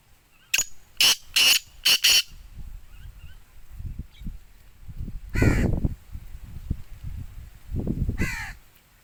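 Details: Black francolin (Sindhi teetar) uttering a quick series of four harsh grating notes, then rumbling background noise with two later raspy descending bursts.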